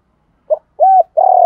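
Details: Brief spotted dove lure coo, used to attract other doves. A short clipped note, one smooth arched coo, then a long rough burred coo that runs to the end.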